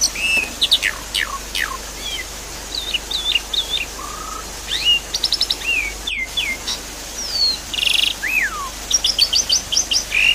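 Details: Javan pied starling song, offered as a lure to get a silent bird singing again: a varied medley of short whistled notes, descending slurs, rapid clicking bursts and buzzy rattles over a steady hiss of running water.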